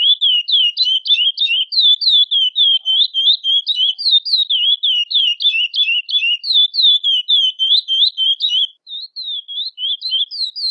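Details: Female chestnut-bellied seed finch (curió, Sporophila angolensis) calling repeatedly to solicit mating, giving quick, high, twisting chirps in an unbroken run, about three to four per second, with a brief pause near the end.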